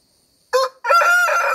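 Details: A village rooster in Nepal crows: a short harsh opening note, a brief break, then a long, loud, strained drawn-out note that runs to the end.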